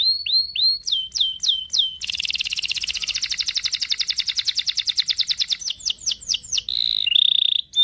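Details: Canary song used to tutor a young canary in learning song: falling whistled notes, then a long rapid buzzing roll of steady repeated pulses lasting about three seconds, ending in more sweeping whistles and a sustained whistled note.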